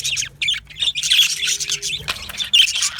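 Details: Yellow male budgerigars in an aviary colony giving bursts of scratchy chirps and squawks, loud clusters separated by brief quieter gaps, with a faint steady low hum underneath.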